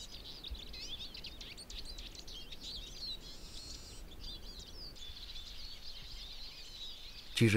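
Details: Eurasian siskins in spring forest, Berezinsky Biosphere Reserve, Belarus, twitter in a fast, continuous stream of high chirps and wheezy trills, with a steady low rumble beneath and a sharp knock at the end.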